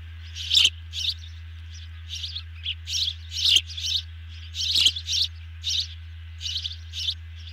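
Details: At the nest during feeding, ospreys give rapid, high chirping bursts, loud and closely spaced, some sharp clicks between, over a constant low hum.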